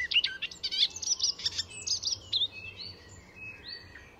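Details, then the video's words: Song of an Icterine warbler at Fysingen reserve, Sweden, full of mimicry: busy scratchy chattering and high notes, fading into long thin whistled tones toward the end. "Icterine Warbler in full song; A master of mimicry…"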